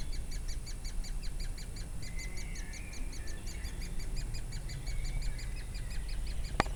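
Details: Woodpeckers feeding chicks, Durmitor National Park, 6 June 2017: fast, regular chirps repeated several times a second, a short rising trill in between, steady low background noise and a sharp click at the end.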